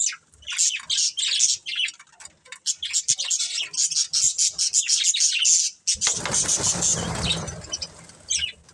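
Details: Breeding pair of budgerigars twittering in rapid high chirps and warbles for about six seconds, then a broad rushing noise takes over, with one last chirp near the end.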